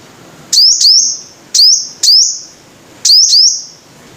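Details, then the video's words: Three bursts of high ringing notes from a five-coloured sunbird, the first two and last as quick doubled chips sweeping upward into a thin held tone, separated by about a second of quiet. "Tiếng chim hút mật 5 màu"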